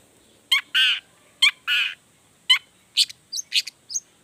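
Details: Long-tailed shrike in energetic song that provokes other shrikes to call back. Harsh, nasal paired notes alternate with short gaps, then come quicker high squeaky chips.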